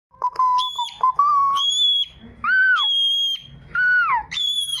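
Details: A cockatiel that likes to sing with its owner whistles a tune of clear, sustained notes, with high held tones and arching slurs.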